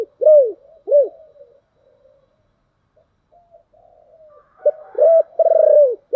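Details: Spotted dove calling in the deep 'thổ đặc' style to lure wild doves. Two loud arched coos open, then soft low murmuring, and finally a full phrase of short notes ending in a long, steady, falling coo.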